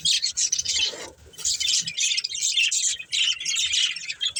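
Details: Breeding pair of budgies in a family group with busy, scratchy warbled chirping in long runs, interrupted by a short lull about one second in.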